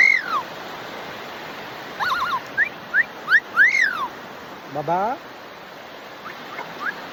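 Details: Pet Amazon parrot at playtime giving short whistled calls, some rising and some arching down, spaced about a second apart, plus one lower buzzy wavering note, over a constant broad hiss.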